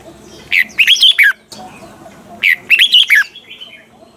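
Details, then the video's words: Red-whiskered bulbul kept in a cage, singing a double-note song in mature wild style for training: two loud phrases, each of five quick slurred whistles, about two seconds apart, with faint chatter between them. "chào mào hót âm kép già rừng hay tuyệt!"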